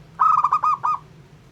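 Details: ['Song of a local zebra dove used to provoke others: a single short phrase of roughly five quick, clear cooing notes, the last slightly apart, with a low hum underneath.']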